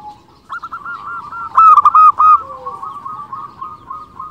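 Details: Zebra dove, a local bird in full song, played to draw in and stimulate other zebra doves. A short loud run of quick bubbling coos rises out of a continuous quieter trilling chorus of further doves.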